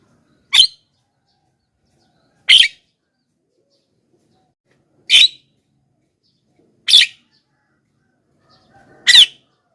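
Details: Javan myna lure calls that wild mynas are said to answer: five loud, rasping squawks repeated roughly every two seconds, with clean silence between.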